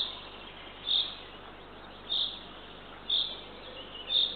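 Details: Owlet of a Eurasian eagle-owl being fed by its mother at a camera-watched nest in Northern Estonia, dawn, 3 June 2023. Four brief high rasping notes come at uneven intervals over steady background hiss.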